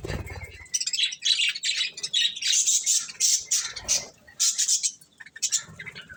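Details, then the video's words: Pet budgies munching corn, chirping in rapid, high, scratchy warbled phrases that run almost without break, then pause briefly before more bursts; a low bump opens the recording. "Cute Budgies Enjoying Eating Corn | Love Birds Chirping Sounds"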